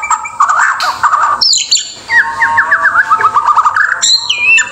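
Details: White-rumped shama from Indonesia delivering lower, mellow warbled phrases and a quick wavering chatter, broken by a high rising whistle and a closing high descending slur.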